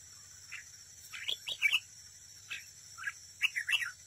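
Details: Competitive singing from a decoy red-whiskered bulbul at a trap: scattered chirps and two short tumbling phrases of slurred whistles, with sharp clicks and a continuous high hiss behind.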